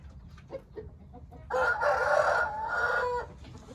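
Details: Hint rooster crowing: a single loud, harsh, sustained crow of almost two seconds that holds fairly level in pitch, following a few soft clucks.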